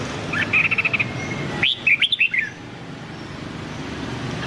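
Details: White-cheeked red-whiskered bulbul giving a Nam Đông training song: a rapid even trill of about six notes, then a loud phrase of looping, swooping whistles, followed by quiet hum.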